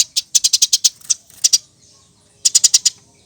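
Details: Lively Eurasian tree sparrow, used as a tutor recording for cage birds, giving quick bursts of four to six bright, high chirps broken by short pauses and a few isolated notes.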